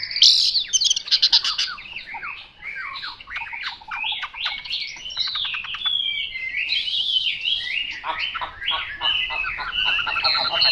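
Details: Chinese hwamei, singing in the 'mộc dở' style, pours out a long varied song: rapid trills, stuttering repeated notes and sweeping slurred whistles in a loud, unbroken high-pitched stream, with brief faint voices early on.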